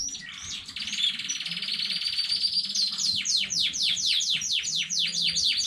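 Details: Canary from a newly bred home stock, recorded 15 May 2019, singing indoors: a sustained buzzy trill, then a fast series of repeated descending whistled notes, about two per second, loud and bright.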